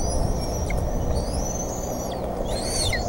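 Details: Bald eagles at the Decorah nest on 28 May 2014 during a fish delivery; sustained high whistled notes waver and bend, with a rising burst near the end over constant low rumbling background noise.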